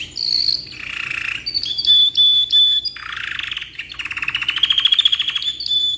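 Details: Black-red rolling canary delivering long song suited for tutoring: buzzy harsh bursts, clear level whistles, and a long rapid rolling trill of evenly repeated notes.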